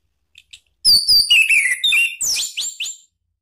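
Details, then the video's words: Lure song of an orange-headed thrush, played to stir another bird into singing back: two faint chips, then a rich run of varied whistles sliding up and down, ending in short bright rising notes. "bikin ANIS MERAH EMOSI NYAUT NGEPLONG ¦ PANCINGAN AM"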